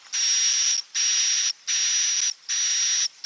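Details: Roosting call of the edible-nest swiftlet, klepek-klepek variety, meant to attract swiftlets: loud, flat, buzzy rasps with a high whistle line, four bursts of nearly a second each with short breaks.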